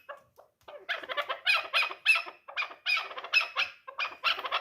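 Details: Hoarse, broadband chuk-chuk notes from a three-year-old dulan chukar partridge used for hunting, rising into a steady rhythmic series after a few quiet opening notes.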